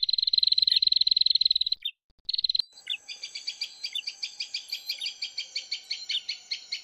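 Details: Male and female prinias calling noisily as a lure sound: a rapid high chipping series stops, then a slower, buzzier run of harsher rasping notes repeats about four times a second.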